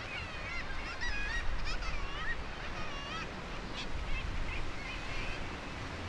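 Northern fulmars giving overlapping nasal, honking cackles, several birds calling at once, over a steady low roar of wind and surf.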